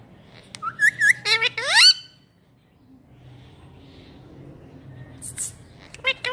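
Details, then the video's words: Caged parrot mimicking human speech in a quick burst of voice-like, rising squawky syllables, then falling quiet before a few sharper whistled notes. "Parrot Talking Like Human | Bird trying to speak"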